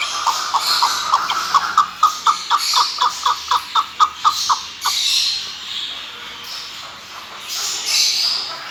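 A chukar partridge gives a quick run of about seventeen clipped, clucking chuck notes, four a second for four seconds, over a steady background hiss.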